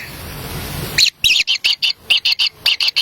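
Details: Kingfisher chicks in a wild nest, begging as a parent arrives with a black lizard. A second of rushing noise gives way to short, clipped, raspy high calls, about four a second.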